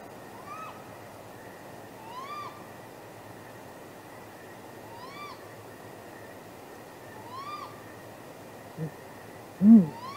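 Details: Great grey owls courting near a nest around midnight, 23 April 2019, off camera, possibly mating: soft, whistled, up-and-down hoots about every two and a half seconds, with a brief low hum near the end.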